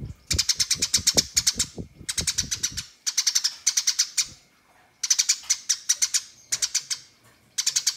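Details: A fighting house sparrow gives long chattering runs meant to call rivals: repeated quick bursts of harsh high chirps, with low knocking or tapping sounds beneath the first few seconds.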